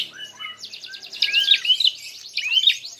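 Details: Prinia in a fighting mood, calling to provoke other birds: a rapid buzzing rattle with bright chirps riding over it, preceded by softer notes and a short whistle.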